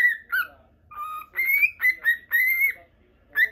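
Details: Normal lutino pet cockatiel whistles a jumble of clear notes, a low note first, then a rising slide and several bright sustained whistles, ending after a short pause with one more note.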